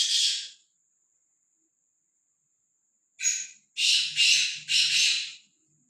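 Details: Black francolin, free-roaming and unafraid, utters one harsh note, falls silent for about two and a half seconds, then delivers a run of four loud grating phrases; a faint low hum underneath.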